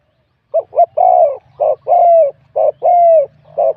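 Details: Spotted dove from the wild, singing in competition with an 87-point score and a medium-to-large voice type. About three and a half deep two-part coos repeat roughly every second over a faint low hum.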